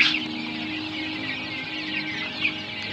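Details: Fourteen-day-old quail chicks: a dense, steady chorus of many overlapping high, thin peeps, continuous and unbroken through the clip, with a faint low steady hum beneath.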